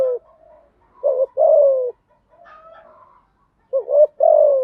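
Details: Spotted dove singing, played to get newly caught birds to start singing: paired low coos, a brief hooked note then a drawn-out falling coo, with softer murmured coos between phrases.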